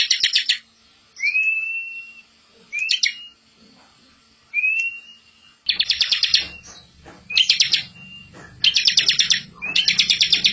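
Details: Bar-winged prinia master song with rolling fill: rising whistles mixed with bursts of quick buzzy notes, and a low rumbling hum in the background during the second half.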